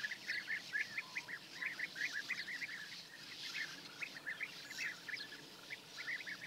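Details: A flock of European bee-eaters calling in Hungary on the morning of 10 May 2024, near perches also used by sand martins: a dense chorus of short, purring, trilled notes, several birds overlapping in a steady stream, some quiet background hiss.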